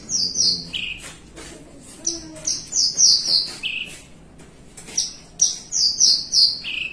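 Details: Caged Javan bushlark in relaxed 'melung panjang' song: clear, very high drawn-out whistles given in runs of three or four, each run closing with a lower downward slur, repeated twice with a pause between.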